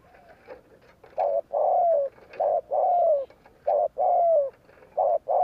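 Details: Spotted dove performing the 'gù kích' provoking coo used to excite wild birds. It begins with soft faint notes, then turns to loud hollow coos that alternate short and long, with drawn-out notes sliding slightly downward. Light scattered chirps in the background.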